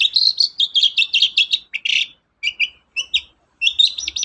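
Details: Long-tailed shrike chattering song meant to provoke other birds to sing: a rapid stream of high, jumbled twittering notes, a few spaced chirps after short gaps, then a quick burst of trilling notes.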